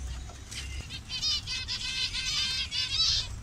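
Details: Zebra finch colony in Bangladesh, birds of several colour variations, giving a busy run of nasal, honking beeps that overlap and follow each other quickly, several birds calling at once.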